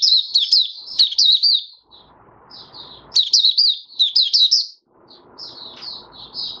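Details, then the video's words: Open 'buka sing' song of a caged oriental white-eye, fifth day after monthly deworming, 20 January 2022: two bursts of lively high twitters with sharp slurred notes, separated by quieter single chirps and a soft background hiss. "Mata Puteh Raja Video 1 buka sing"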